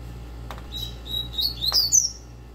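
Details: Captive double-collared seedeater giving a fast song of the tui tui zeu style: steady whistled notes, then quick rising and falling high sweeps that climb higher toward the end, over a low steady hum indoors.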